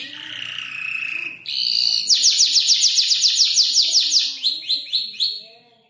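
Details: Five-month-old canary learning to arrange mimicked songs: a soft whistled note, then a rapid dense trill of high chirps, slowing into separate sharp notes at the end.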